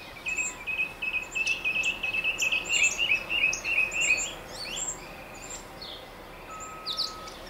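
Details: Northern mockingbird perched atop a tall mesquite tree in central Arizona, a fast rattling trill of repeated notes for about four seconds, then scattered sharp high chips, over constant insect noise.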